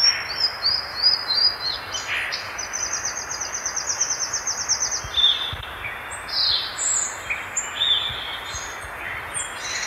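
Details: Violaceous euphonia, the gaturamo-verdadeiro of Brazil, delivering a varied high song: quick clipped notes, a fast chattering trill, then scattered sharp whistled and squeaky phrases, with steady background hiss.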